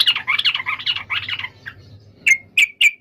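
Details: Yellow-vented bulbul giving a fast bubbly chattering phrase, then three loud separate sharp chirps, each dropping in pitch; a faint low hum underneath.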